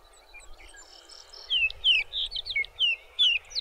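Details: A Sage Thrasher sings a rapid, warbled run of high, slurred notes, about three per second, with faint background noise; recorded in June at Arapaho NWR, Colorado.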